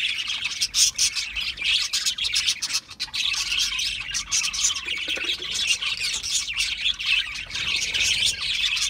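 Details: Several budgerigars chattering nonstop: rapid high-pitched chirps, squeaks and scratchy warbles blending into a steady busy flock noise.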